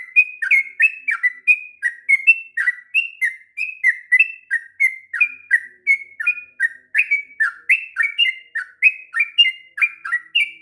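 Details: Sooty-headed bulbul, kept as a tutor for young birds, pours out a long continuous song of quick bubbling whistled notes, dipping and rising, roughly three per second without pause.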